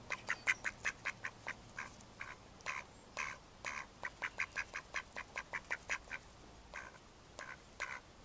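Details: Loud, rapid quacking from Mallard ducks in May 2014. Short, harsh notes come in quick runs of several, with brief pauses between bursts, over a quiet background.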